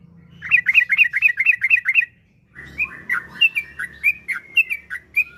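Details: Kept yellow-vented bulbul lure song: a quick run of looping whistled notes, a pause, then more spaced, slurred bright notes over a low hum.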